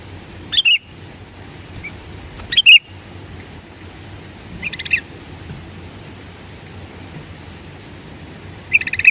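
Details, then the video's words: Sooty-headed bulbul call used as a lure to prompt other birds to sing: four short, sharp chirping bursts spaced a few seconds apart, high and slightly rising, over quiet low background hiss. "Pancingan burung kutilang 2 detik nyaut"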